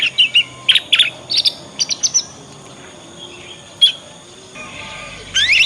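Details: Young Yorkshire canary learning ngriwik sounds as a lure song for other canaries; clusters of short sharp chirps early, a quiet hissy stretch, a single chirp, then a closing rising twitter.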